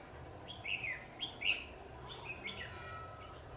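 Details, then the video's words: Red-whiskered bulbul used as a decoy at a trap cage, fighting another bird: short whistled phrases with quick slurred notes, given in bursts over steady background noise. "Bẫy chào mào Mồi Bọ chét ra trận đá méo cả lồng"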